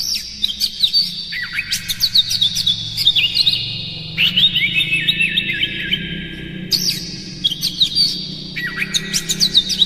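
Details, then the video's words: Oriental magpie-robin song intended to excite other magpie-robins into singing; long varied phrases of descending and rising whistles, sharp chips and rapid trills, near continuous, with a faint low hum underneath. "Suara PANCINGAN KACER paling gacor KONSLET Buka Ekor bongkar MATERI KERAS PADAT agar KACER emosi"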